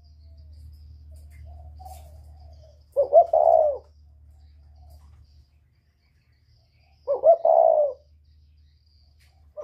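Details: A northern-style spotted dove with a whistle voice, calling to lure wild doves, repeats the same phrase twice about four seconds apart, each two sharp notes and a long coo, with a low hum.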